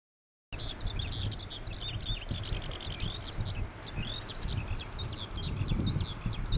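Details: Stejneger's (Amur) stonechat giving a busy run of short, high, scratchy chirps and twitters that overlap almost without pause, over a steady low rumble.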